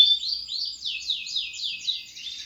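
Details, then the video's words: Canary singing a rich run of repeated downward-sweeping high whistled notes, each about a quarter second, flowing continuously with no other sounds. "SUARA BURUNG KENARI GACOR‼ cocok untul pancingan paud"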